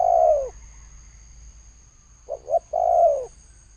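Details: Spotted dove cooing in the thổ sấm style: a long, low, downward-sliding coo, a pause, then two short clipped notes leading into another drawn-out falling coo, with a faint steady hum behind.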